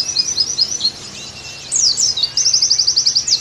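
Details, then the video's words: Brief Oriental white-eye phrase: quick high chirps, a pause, a downward slurred sweep, then a crisp even trill of about a dozen notes. The recording is meant to get pleci singing again. "Terapi + Masteran Agar Pleci Gacor Kembali"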